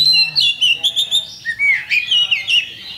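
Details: Oriental magpie-robin, a champion kacer, singing a provoking lure: quick run of bright whistled notes, several short repeated syllables, then a rising slur and further fluid whistles, loud and clear.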